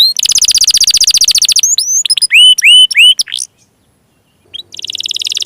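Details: Canary song played to start silent or young canaries singing: a dense fast trill, hooked whistled notes, a brief silence, then the trill resuming.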